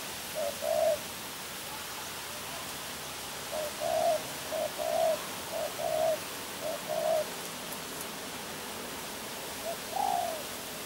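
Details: Cooing of a spotted dove (tekukur): a short opening coo, then a phrase of low mellow notes in short-long pairs, ending with a single slightly higher drawn coo after a pause.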